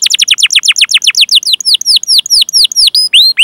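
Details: Canary song in 'cuit cuit' rolling style, used to train canaries: rapid repeated high downslurred notes that slow and separate, ending in rising whistles.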